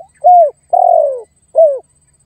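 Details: Lure call of a spotted dove challenging a rival: three soft, low coos, a short one, a longer one sliding gently down, and a brief falling one, with clean silence around them.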